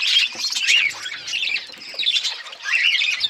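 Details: Colour budgerigars, chicks growing, giving harsh squawks and scratchy warbled calls in uneven bursts about every second, over a low background of chatter.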